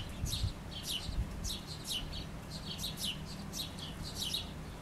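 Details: A chickadee feeding before flying off with food, recorded through an open back window, gives a string of husky, buzzy 'dee' notes in quick bursts, several to the second, over a steady low rumble.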